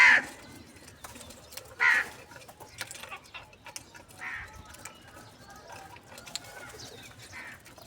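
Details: Crow calling for its morning food of cheese and salty food: two strong, harsh caws about two seconds apart, followed by fainter, more distant caws and light background noise.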